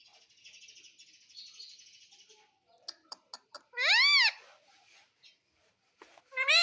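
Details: Indian ringneck parakeet, a pet that talks and says mummy and papa. Faint hissy chatter and a few sharp clicks lead into a loud arched, speech-like syllable, with another starting at the very end.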